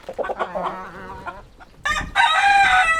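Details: Rooster crowing: rough, harmonic calls in the first second and a half, then a loud, sustained, strained crow note holding steady to the end, with soft clucks between.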